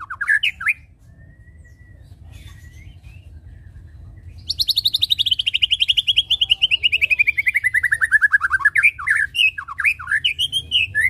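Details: White-rumped shama song used as a lure to make birds sing: brief rising whistles, a quiet gap, then a long rapid trill of repeated notes gliding downward, followed by looping whistled phrases; constant low hum.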